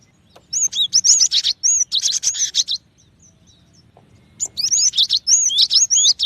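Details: Cinereous tit singing: two bursts of high, sharp whistled and chirping notes, rapidly repeated and slurred up and down, separated by a quiet gap of almost two seconds.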